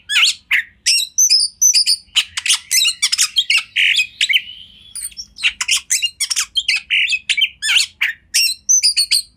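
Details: Oriental magpie-robin training song: a rapid, rich jumble of scratchy bursts, sharp chips and short whistles, with a thin drawn-out whistle midway, delivered almost without pause.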